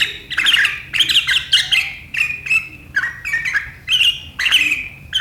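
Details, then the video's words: Sooty-headed bulbul (kutilang) giving lively riwikan chatter, recorded 7 April 2023: about seven clipped bursts of high, squeaky twitters, each under a second, in steady succession. "Suara burung KUTILANG GACOR RIWIKAN yang tajam membuat lawan ikutan ngeriwik"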